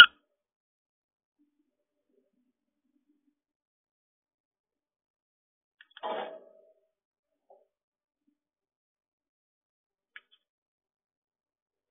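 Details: Near silence in a quiet room, broken only by a brief muffled knock or thud and a couple of faint clicks.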